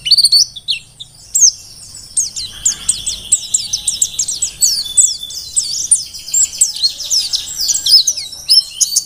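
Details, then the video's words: Mountain white-eye (pleci dakun), wild-type bird from Merapi, singing very actively as tutor material for other songbirds: a fast, continuous stream of high, thin chirps and twittering trills, dense and unbroken for the whole stretch, no other clear sounds. "Pleci Dakun Merapi Ngalas super gacor paling di cari untuk Masteran"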